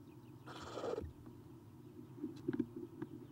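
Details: Owlets of Eastern screech owl, three nestlings in a nest box on the morning of 30 April 2016; one half-second harsh hiss followed by faint clicks and shuffling sounds.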